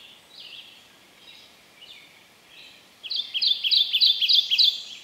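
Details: Male Kentucky Warbler in shaded understory at Land Between the Lakes, Kentucky, on a cold, drizzly, breezy morning, singing a rich, rolling string of repeated two-part "churry" phrases, faint at first, then a loud, rapid burst of about five quick notes.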